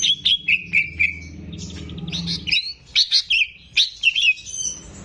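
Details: Captive greater green leafbird in energetic gacor song, meant for training young birds: fast clusters of bright whistled and chattering notes in repeated bursts over a low hum.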